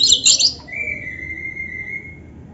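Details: Oriental magpie-robin singing to draw answers from other magpie-robins: a brief high chattering burst, then one long, steady, pure whistle held for over a second before fading.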